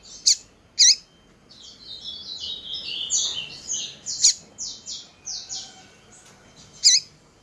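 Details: Female double-collared seedeater, called coleiro, calling to excite males. Two piercing swoop calls precede a long stepped series of high chirps, with further loud sharp notes at about four and seven seconds.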